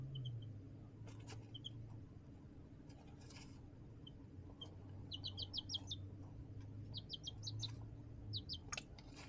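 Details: Baby chickens raised in a backyard brooder box under a heat lamp chirping: quick series of short high rising peeps in clusters of four or five, with scattered single peeps, a low hum and light rustling.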